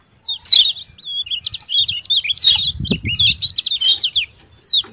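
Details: Lively twittering from a kecial kuning white-eye, "ciak ciak" calls used to prompt caged birds to sing: a near-continuous tangle of thin, rising and falling high notes with a brief low rustle midway.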